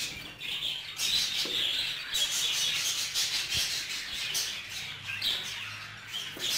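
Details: Budgerigars kept together in a group, a male jealous over a female; dense, scratchy high chatter runs almost without pause, with bursts of squawky notes and brief clear whistles.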